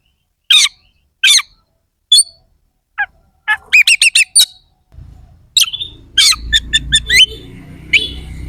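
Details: Kacer (Oriental magpie-robin) singing sharp fill-in phrases used to provoke rival contest birds: isolated loud chips, then a quick stuttering series of notes, and a final run of chirps over rising low background noise.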